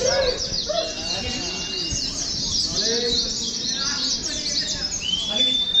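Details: Training recording that simulates a contest, with Oriental white-eyes giving a dense stream of high, rapid chirps; softer low arching notes sit beneath, and a long rising whistle stands out near the end.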